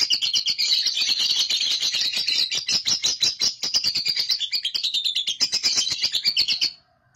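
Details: Ngekek long chatter from a young lovebird, used as a lure for other lovebirds to chatter. A steady, high-pitched, buzzy stream of rapid clipped notes runs unbroken for nearly seven seconds, then stops abruptly.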